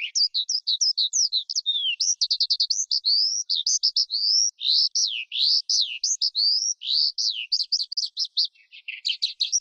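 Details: Varied high song of a forest skylark, with quick chirp runs, a buzzy rattled stretch, and longer sweeping up- and down-slurred whistles that give way to a scratchy flourish; no other noise.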